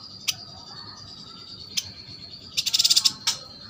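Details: Kalimantan yuhina kept in a cage and singing actively: a few isolated sharp high chips, then a quick run of about seven bright, high chirps near the end over a thin constant high tone.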